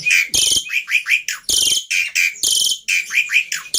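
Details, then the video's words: Jalak putih, or black-winged myna, in a lure and tutor recording full of imitable phrases: rough wide-band rasping bursts alternate about every second with bright rising and falling whistled notes. "Pancingan Plus Masteran Burung Jalak Putih full Isian Mudah Di Tiru"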